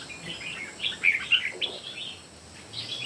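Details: Red-whiskered bulbul among three birds in a singing contest, giving a quick string of loud, clear whistled notes near the middle, then softer trailing phrases, with steady background hiss.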